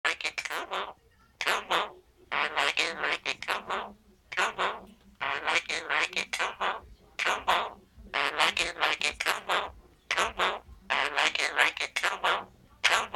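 A Quaker parrot chatters in short, speech-like bursts of harsh, warbling syllables.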